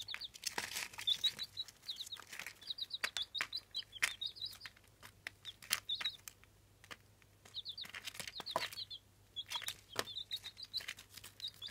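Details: Incubator-hatched Jawa Aseel chicks, eight days old, keep up bursts of rapid, high, thin cheeping notes in runs of four to eight. Scuffling and clicking sounds mix in, with a faint low hum.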